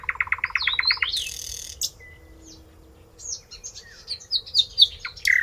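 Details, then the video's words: Common nightingale, a member of the chat family, sings a rapid series of repeated chooky notes, then a loud buzzy burst and varied whistles and trills that fall from high to low. "A Nightingale Sings | Bird Song"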